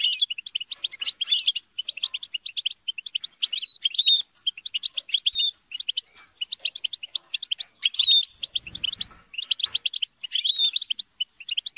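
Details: Several European goldfinches in lively group chatter and squabbling, a near-continuous stream of quick high chirps and tinkling twitters, broken by occasional sharper rising whistled notes.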